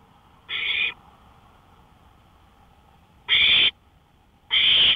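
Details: Owl on a porch at 1:53 AM on May 5, 2013: one softer rasp, a long pause, then two louder hissing screeches close together near the end.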